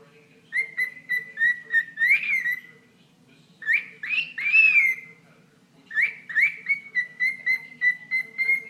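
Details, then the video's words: A pet bird whistles at its owner's foot in three phrases: choppy repeated notes ending in a rising squeal, a burst of harsh swooping chirps, then a long steady stream of quick whistles. "Bird Talking to Toe"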